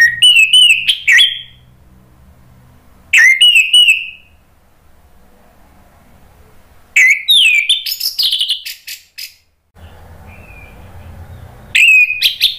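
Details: Loud ngeplong song of an orange-headed thrush, used to prompt silent birds to sing: four separate bursts of fast whistled and chattering notes spaced a few seconds apart, with quiet gaps and a faint warble between.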